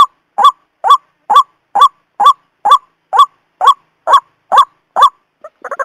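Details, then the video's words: White-breasted waterhen trapping lure, morning and evening: about eleven harsh honking notes at just over two per second, then the series breaks off and a brief jumble of different, faster notes follows. "suara pikat ruwak ruwak husus pagi dan sore"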